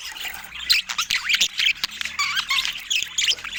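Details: Several pet budgies feeding on fruit, producing a bubbly run of chirps, squeaks and short rising whistles in quick pulses, with clicks between the calls.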